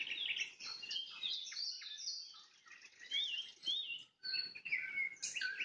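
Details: Nightingale singing at sunset: a dense, varied phrase of high chirps and short whistled slurs, with a brief pause near four seconds before bright, clear notes resume.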